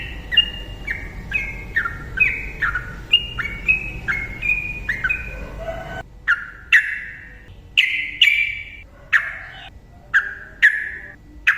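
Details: Yellow-vented bulbul singing as a lure for quiet birds: quick stepped whistled phrases for several seconds, then loud, sharp, echoing single notes repeated about once a second.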